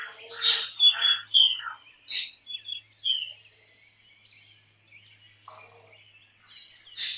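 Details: Black drongo singing: loud harsh rasping bursts mixed with short clear whistled notes and falling slurs in quick succession, followed by a long softer gap of faint chatter and a final harsh burst.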